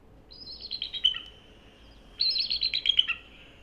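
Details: A bald eagle gives two bursts of high, squeaky, chittering notes that tumble slightly downward, each about a second long, with a pause between. This is its real call, higher-pitched than the hawk screech used in films.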